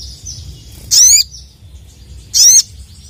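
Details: Sooty-headed bulbul, a male calling rival males, giving two loud, buzzy, high-pitched chirps about a second and a half apart against a quiet background.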